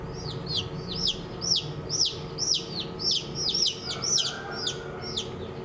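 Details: Baby domestic chicks peeping: a steady run of high, sharp, down-slurred chirps, about two per second, overlapping in quick pairs, over a low background rumble.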